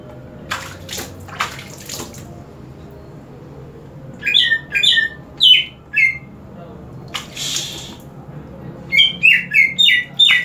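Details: Caged green leafbird singing after being sprayed with water: sharp whistled phrases of two to five notes, short chirps repeated quickly in bursts, with splashing water hisses between phrases.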